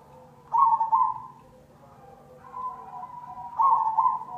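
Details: Zebra dove of the cemani variety, a lure recording: two loud bursts of rapid, trilled, mellow cooing notes, with a softer sustained coo between them and faint low background hum.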